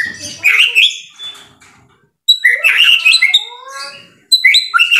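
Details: White-rumped shama singing energetic bursts of mixed whistles and chatter, each burst about a second long. Long near-silent gaps separate the bursts, and a soft lower rising whistle trails after one of them.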